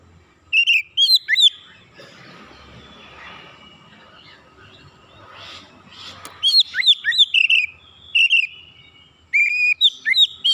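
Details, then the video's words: Oriental magpie-robin calling, recorded as therapy chirping: brief bursts of bright twisting whistles at the start, then a quieter gap with soft hiss, followed by two lively runs of repeated whistled notes. "kicauan terapi Kacer memanggil"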